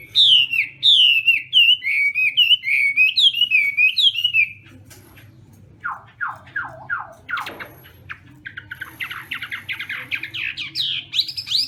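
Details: Chinese hwamei contest singing at morning voice practice: a bright run of repeated, looping whistles, then a pause and a burst of quick descending slurs followed by dense, scratchy, high chattering notes.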